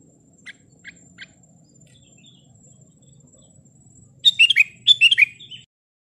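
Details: Sooty-headed bulbul singing to provoke rival and wild bulbuls: three soft short clicks, then two quick bursts of bright, descending whistled phrases near the end, with a faint high hiss throughout.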